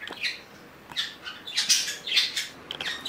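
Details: Pet budgerigars, two of which had just turned four on June 10. A rapid string of raspy, bright squawks and warbled chirps, about three per second, rising and falling.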